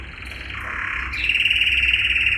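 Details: Yellow canary male singing training song for caged canaries: a soft rolling trill swelling into a loud, even, rapidly pulsed roll.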